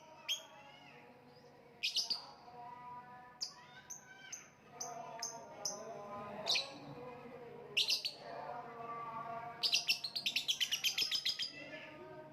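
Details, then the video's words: Lovebird chirping with scattered sharp high notes and a closing burst of quick rapid chirps, over a background of lower murmuring sounds, possibly other birds or voices. "voice of lovebird / Lovebird kicau"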